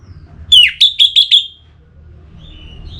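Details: Orange-headed thrush song played to stimulate singing: a quick run of five loud whistled notes, each a sharp falling slur, over about one second. A faint thin whistle follows later, with a low hum underneath.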